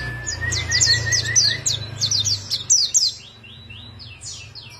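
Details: White-eye in full song: quick bursts of high, thin, squeaky twitters over a steady mid-pitched whine and low background hum, the phrases trailing off into softer slurred notes.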